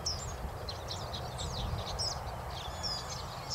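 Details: White-browed Meadowlark displaying with pleasant song in spring, the southern-hemisphere breeding season: quick, scratchy, high chirps and short whistled slurs tumbling throughout, over a steady low rumble of wind or distant traffic.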